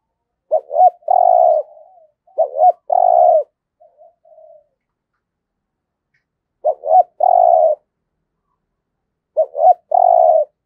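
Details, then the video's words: Decoy spotted dove cooing in the 'giọng thổ' song style: four phrases, each two quick rising notes then a drawn-out low coo, separated by pauses of two to three seconds, with a few soft short notes after the second. "Chim Cu Mồi cu gáy giọng thổ cực chất"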